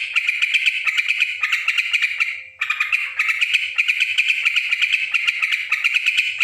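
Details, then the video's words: Rowdy yellow-vented bulbul: harsh, grating chatter of fast-repeated rasping notes, one short dip at about two and a half seconds, then an unbroken scratchy stream again above a quiet steady hum. "suara trucukan ribut"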